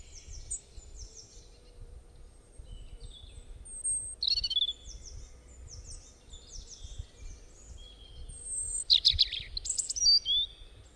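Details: A bird, said to make many different kinds of sounds, chatters in quick high chirps and slurred whistles, with sudden harsh, buzzy bursts around the middle and near the end; faint background hiss.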